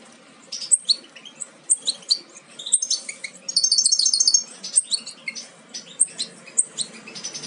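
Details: European goldfinch fledglings almost ready to leave the nest, from a Major goldfinch carrying aminet paired with an ancestral Parva; uneven high chirps with a dense buzzy twittering burst midway, then scattered thin tweets.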